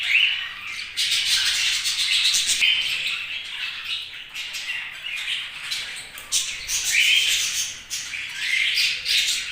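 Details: Budgerigars chirping in a dense, continuous chatter of squawky, buzzy high notes with brief sharp whistles, several birds overlapping with no clear pauses.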